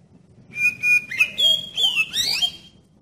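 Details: Oriental magpie-robin lure song to prompt other magpie-robins to sing: a sustained clear whistle, then quick slurred and swooping notes building to a brief warble.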